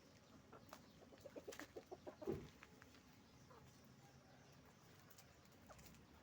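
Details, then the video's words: Chickens on a farm where roosters and hens are making noise: a rapid run of about eight clucks builds into one louder squawk, followed by quieter scattered clucks over a steady background hum. "Moment of the sound of a chicken farm, roosters and hens making noise"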